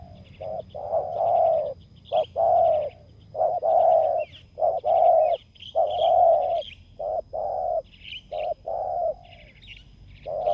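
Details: Ground-clearing decoy session for a spotted dove: strong, throaty coos run in uneven bursts, some long and some clipped short, roughly one per second. Faint high chirping sounds in the background.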